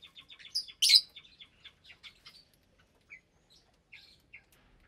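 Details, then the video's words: Caged lovebird colony, roughly 25 parblue, euwing, opaline, lutino and albino birds raising chicks, feeding at meal time in January 2023; quick series of high clicks and chirps, one loud screech, then sparse short squeaks. "Lovebird Meal Time"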